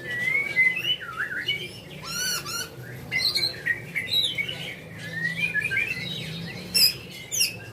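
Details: White-rumped shama, a caged bird prepared for song contests, giving a varied song of clear whistles that slide and rise, quick chattering bursts and harsh squawk-like notes, with a low steady hum underneath.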